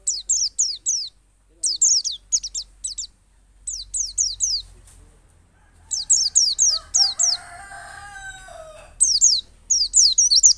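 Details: White-eye from Pacitan performing ngalas and nembak song, played to coax other white-eyes into singing: repeated groups of three to five high, sharp down-slurred notes, with a rooster crowing in the background partway through.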